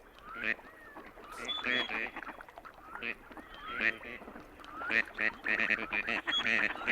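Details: Gadwall (Mareca strepera) drake gives its chatty call, rapid nasal burping notes mixed with short rising whistles, several each second, with a person's voice alongside; this call is given while floating on ponds or flying.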